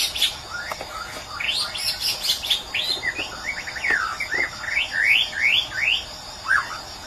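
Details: White-rumped shama from Medan singing an energetic sequence of sharp chips and fast slurred whistles, ending in a run of evenly spaced rising notes.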